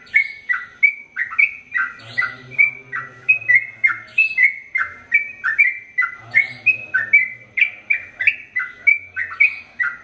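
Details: Long unbroken song of a sooty-headed bulbul, the 'ropel panjang' style: a steady stream of bright whistled two-note phrases, each falling slightly, rolling on for ten seconds at a brisk, even pace.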